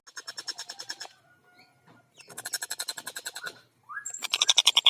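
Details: Long-tailed shrike singing actively, recorded as a master track with a clear voice and dense fast delivery: bursts of harsh, buzzy notes repeated about three times a second, broken by short pauses, a rising whistled slur, then a louder high, rapid series.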